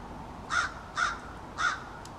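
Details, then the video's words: American crow, one of a small family that gathers in a backyard and keeps up an extended back-and-forth conversation, gives three harsh, hoarse caws spaced roughly half a second apart against a quiet background. "American Crows Calling"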